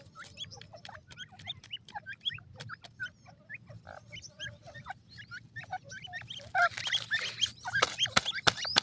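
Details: Black francolin chicks cheeping busily, short rising and falling notes about three per second, with loud clattering taps and rustling building toward the end.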